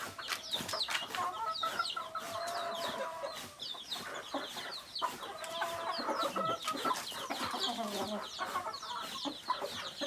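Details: Native chickens, including rooster and hen, calling together: a dense chorus of high, short, downward-sliding peeps over steady low clucking and warbling trills, with scattered clicks and rustling throughout.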